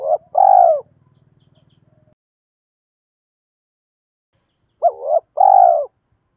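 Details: Spotted dove decoy calling and challenging rivals to lure wild birds: low hoarse two-part coos at the start and again near the end, with a faint low buzzing hum between.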